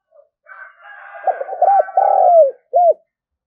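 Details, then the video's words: Spotted dove decoy cooing used to draw in wild doves, one short phrase of low, drawn-out hooked coos ending in a single clipped note, with faint higher rasping sounds underneath. "tiếng chim cu gáy mồi thúc và gáy gọi bổi new nhất"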